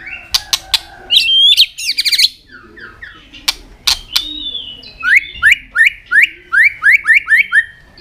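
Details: White-rumped shama song: clicks and buzzy notes, then a steady series of rising whistled notes repeated about twice a second.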